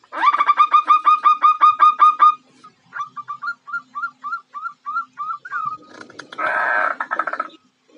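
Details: Female zebra dove calling to attract a male: a fast run of about fourteen clipped, ringing notes, then slower hooked whistled notes rising and falling, ending with a brief burst of rustling noise.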